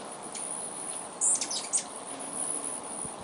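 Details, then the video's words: Hummingbirds sharing a feeder before dark, feeding: a short cluster of very high, thin, squeaky chips about midway, standing out over a constant shrill chorus of crickets. "sounds of hummingbirds feeding"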